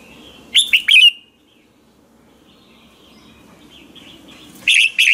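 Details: Red-whiskered bulbul singing in the morning, a lure bird's training song in the ché style: a burst of three bright, slurred whistled notes, a long quiet gap with a faint distant chirping, then two more loud notes at the end.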